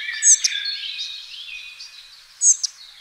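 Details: Spotted flycatcher fledglings, two young birds being fed; a pair of piercing high squeaks, about two seconds apart, stands above a continuous background chorus of chirping birds.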